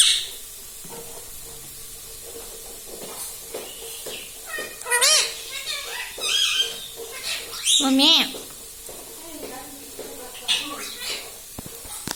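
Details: Captive ringneck parrot in a small room mimicking human words like mummy and radhe: quiet muttering then louder warbling, speech-like syllables with quavering pitch, mixed with faint human voice and household background.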